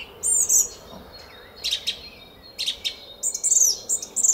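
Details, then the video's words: Song thrush singing in a garden at Szalkszentmárton, Hungary, at 06:15 on a spring morning, 10 April 2021: brief, very high, sharp whistled and squeaky phrases separated by short pauses. "ÉNEKES RIGÓ TRILLÁZIK A KERTÜNKBEN!"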